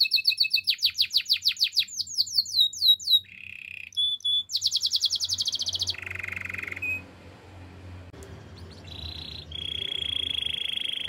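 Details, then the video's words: Canary song used for training: rapid falling chirps, short buzzy bursts, a bright fast trill, then quieter varied rolls and a long even trill held for about two seconds. "The most powerful canary training song"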